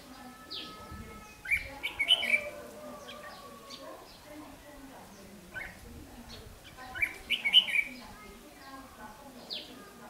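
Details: Red-whiskered bulbul in a decoy trap meant to provoke wild males, 8 July 2016; two short rapid warbled bursts about five seconds apart, with faint scattered chirps and steady low hum between.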